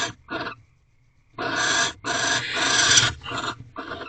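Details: Barn owls mating in a corral owl box before dawn, nineteenth night: two short hisses, a pause, then a long harsh screech run together with further rasping bursts.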